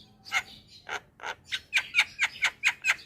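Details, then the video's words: Javan myna (jalak kebo) singing gacor: a series of harsh, rasping notes growing louder, then rhythmic buzzy chirps with squeaky accents, about four per second. "Kicauan Jalak Gacor - Suara Jalak Kebo Paling Gacor"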